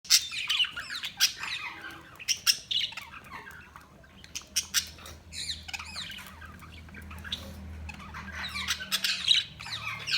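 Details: Budgerigars chirping in a busy flock, a dense jumble of short scratchy chirps and warbles with brief squawks, mostly high-pitched, over a faint low hum.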